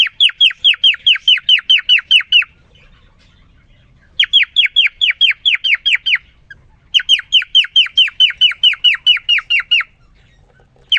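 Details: Caged male cockatiel singing to a newly introduced female after three days alone: three bursts of rapid, evenly spaced down-slurred whistled notes, about ten per burst, separated by short pauses.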